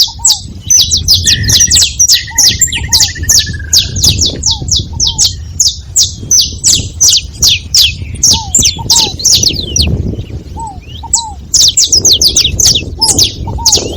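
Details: Several saffron finches calling together: a dense, restless chorus of sharp, high downslurred chips, overlapping almost continuously, with a rapid trilled run in the middle and soft, low curved whistles now and then.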